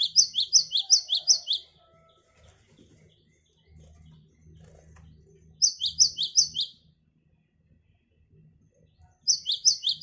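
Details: Great tit song for luring wild birds: bursts of rapid paired notes, high then lower, about six pairs per burst, three bursts separated by pauses of several seconds, low faint background hum.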